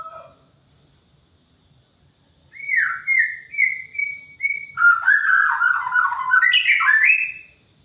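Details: White-rumped shama singing in morning dew; a short note, a pause, then a run of clear rising whistles leading into a loud, varied warbled phrase that climbs before stopping.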